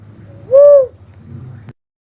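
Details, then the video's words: One clear, low, arched whistled coo from an uncal cuckoo-dove, rising and falling, over a low rumbling background hum that ends with a short click. "suara burung uncal asli"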